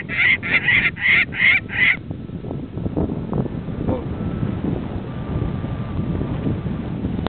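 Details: Saker falcon at an artificial nest in central Mongolia, summer 2007, gives five harsh, grating calls in quick succession, about two or three a second, then falls silent, leaving low rumbling wind noise.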